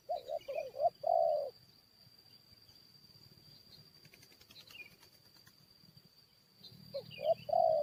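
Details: Spotted dove used as a decoy to lure and fight wild forest birds: a burst of short rhythmic coos, then a long quiet stretch of insect buzz, then the coos resume at the end.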